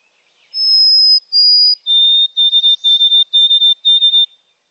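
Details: White-throated Sparrow song played in a bird-communication lesson, its mnemonic "oh sweet Canada Canada": two long, pure whistles, the second slightly lower, then five quick triplet notes on one steady high pitch.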